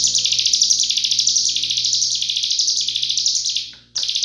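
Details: A Hill Prinia, used as a tutor recording for other songbirds, gives a rapid, continuous stream of sharp, high chirps, several per second, with a faint low hum beneath and a brief break near the end.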